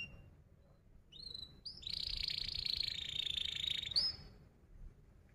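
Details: Canary singing a long, tight roll as a lure for young canaries learning song: short rising whistles, then a sustained buzzy high trill lasting about two seconds, closing with a sharp upward note.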